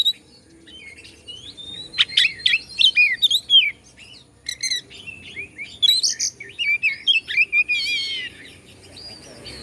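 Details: Bandung, Indonesia kacer (Oriental magpie-robin) song meant to stir other birds into excitement: a long run of loud, varied whistled phrases, some harsh and chattering, others clear and slurred, in quick bursts with brief gaps.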